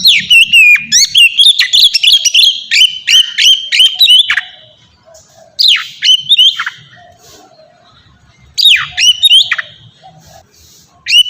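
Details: White-rumped shama performing ngeplong song for captive-bird training: fast series of whistled notes and sharp down-slurs, then spaced bursts of steep swooping phrases separated by short silences.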